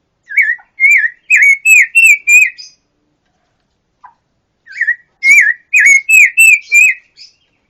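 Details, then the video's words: Vigorous pancawarna song for songbird tutoring: two bursts of loud, clear, slurred whistles repeated rapidly about six times each, separated by a short silence. "Masteran burung pancawarna// gacor super brisik"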